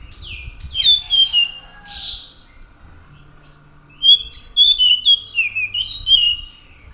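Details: Anis macan singing energetically: sharp descending whistled notes at the start, a pause, then a rapid string of clear slurred whistles rising and falling in quick succession.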